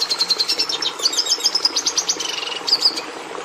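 Red Siskin song: a fast, continuous run of high, thin twittering notes and brief buzzy trills, varied and not very musical, with no pauses.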